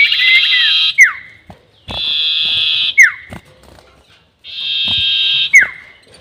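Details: Sirtu bird lure call for trapping, long 'nyiul' type: three phrases, each a sustained raspy buzz about a second long followed by a bright whistle that drops steeply, repeated roughly every two seconds.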